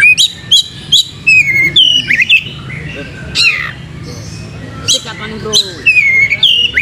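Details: White-rumped shama with tail fanned, kept caged, giving separate sharp whistled phrases, some sliding downward, spaced by short pauses, with a faint low hum behind.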